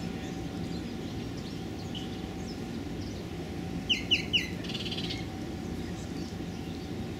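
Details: Hooded warblers, males, females and juveniles, during the April spring migration fallout at South Padre Island convention center nature trail, South Texas, 28 April 2013. Three sharp, quick chip notes mid-recording over a steady low background hum.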